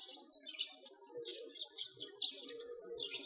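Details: Sparrows chirping in winter beside a frozen lake in Bratislavsky Park, Moscow, Russia, filmed on a walk; busy overlapping high chirps and twitters run throughout, with a faint lower murmur beneath.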